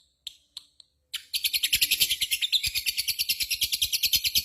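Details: Ngekek chatter from a lovebird: a few clipped chirps, then a long, evenly pulsed rattle of harsh, buzzy notes, several per second, held without a break to the end.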